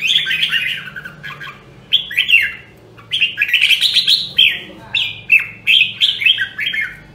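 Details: Rare Nam Đông Huế red-whiskered bulbul in voice training: loud, ringing whistled phrases of slurred notes, repeated in quick bursts, each phrase sweeping down in pitch, with short pauses between.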